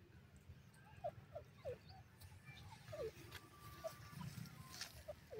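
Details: Francolin uttering short, clear, downward-sliding notes in quick runs of two or three, then a pause before the next run, over a constant low background hum.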